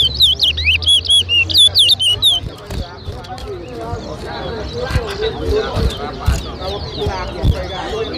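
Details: Chestnut-bellied seed-finch (towa towa) singing in a bird club whistling competition at Lusignan, Guyana, in 2023. A fast run of clear, looping whistled notes lasts about two seconds, then fades under crowd chatter and background music.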